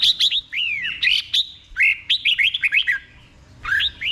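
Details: A caged red-whiskered bulbul sings slowly and distinctly in the doubled style for learning birds. Sweeping, slurred whistles fall and rise in a tight run, then pause before a final short phrase.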